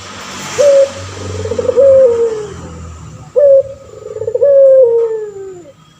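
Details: Cooing male puter pelung turtle dove, recorded to train other birds: two phrases, each a sharp opening note followed by a long, wavering, slowly falling coo, with a faint low hum behind.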